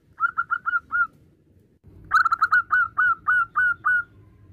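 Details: Male zebra dove, a local strain, calling to its mate with a short run of soft, evenly spaced cooing notes, a pause, then a louder, quicker series of about ten rounded notes over low background noise.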